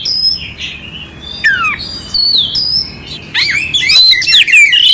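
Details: Oriental magpie-robin (kacer) singing a clear song with rough fill-ins, used to stir up a quiet bird; varied whistled phrases, sliding notes and sharp chattering bursts high in pitch, with pauses between phrases.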